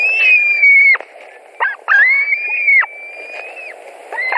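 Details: Nest of White-tailed eagles in Latvia, July 2020 morning, fish brought in and eaten: long, slightly wavering whistled notes, each about a second, ending in abrupt drops, with softer clicks between them.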